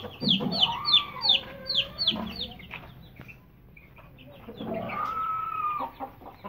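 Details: Aseel chicks, aged about 20 days to 2.5 months, in a group: rapid high, downward-sliding peeps in quick bursts, with a longer, lower, drawn-out call in the middle and again near the end over faint background noise.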